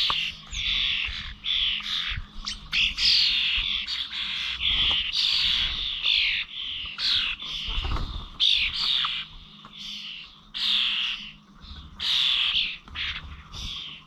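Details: Flock of starlings at village feeders in Corby, 21 November, keeping up a dense stream of harsh, chattering squawks and rasps with brief pauses, low bumps and rustles beneath.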